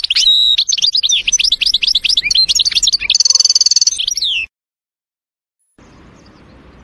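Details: European goldfinch singing in a forest: a fast run of high, liquid twittering notes that flows into a buzzy, metallic trill, then breaks off after about four and a half seconds, leaving faint background hiss.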